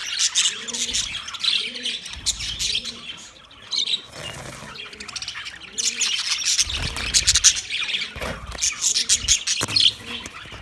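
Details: Recorded 9 March 2024, budgies keep up lively high-pitched chatter, twittering with sharp chirps that swell and fade, while soft regular cooing from another bird sounds underneath and a brief low rumble passes midway.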